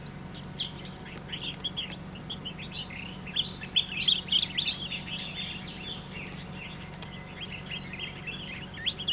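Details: Two Collared Finchbills singing and wing-dancing on stems at Da-shue Mountain, Taichung, Taiwan, on 7 April 2016, give a lively run of sharp, chirpy notes, several per second, over a steady low hum.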